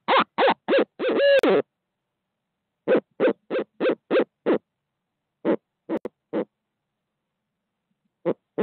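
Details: Barred owls calling at 5:45am CST in Midtown Tulsa, 2020, as a second bird arrives on the live feed: quick clipped hoots and one long wavering note, then spaced series of short hoots with pauses between, otherwise silent.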